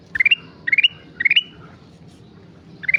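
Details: A sooty-headed bulbul in lively song repeats quick rising phrases of about four bright notes roughly every half second, then pauses before another phrase, with low background hum.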